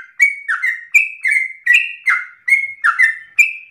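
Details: A sooty-headed bulbul gives persistent ropel song, used as a lure for other birds; paired whistles, a sharp high note followed by a lower drawn-out slur, repeat at an even, brisk pace.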